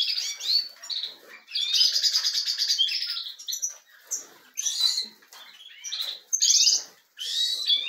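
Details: European goldfinch song from a breeding setup, goldfinches warming up: rapid, tinkling high twitters mixed with buzzy trills and liquid notes in bursts with short pauses; other finches may be chattering nearby.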